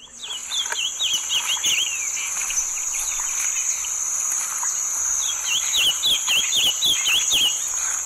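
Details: A male olive-crowned yellowthroat at Sonso Lagoon near Buga, Valle del Cauca, Colombia, sings two quick, bright warbled phrases of high, slurred notes, several seconds apart, over a steady high insect drone.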